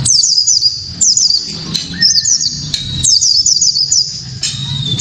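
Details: White-eye sharp 'tembakan' song to spark other white-eyes into song: bursts of rapid high descending whistles roughly every second, each a quick cascade, with a lower steady whistle in between and faint background hum.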